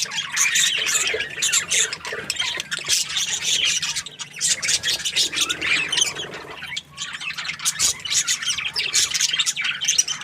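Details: Budgies described as happy, chattering nonstop in a rapid jumble of scratchy squawks and bright chirps, with a brief lull near the middle before the busy warbling resumes.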